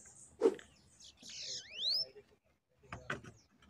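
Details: Bananaquit pair coming in to fight a caged bird during a trapping session: a brief high buzzy hiss, then a thin note sweeping steeply upward, with a low knock and muffled thumps after it.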